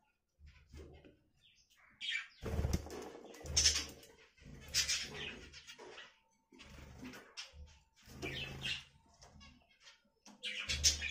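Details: Budgerigar chattering in scattered bursts of scratchy, warbling high notes separated by short pauses, with a low steady hum underneath.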